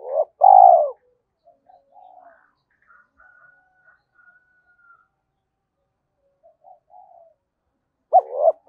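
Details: Decoy spotted dove calling. A strong coo phrase of a clipped double note and a longer low hum opens the recording, and a second begins at the very end. Faint scattered chirps and a thin tone fill the gap.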